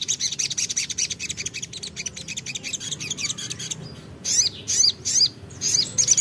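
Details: Crimson sunbird, called sogok ontong, in full song calling a rival: dense, fast, high buzzy chatter of repeated notes, then a few loud, sharp, separated high phrases.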